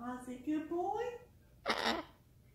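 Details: A male pet cockatoo indoors with his owner babbles in speech-like tones that slide upward over about a second and a half, then gives a brief harsh rasp.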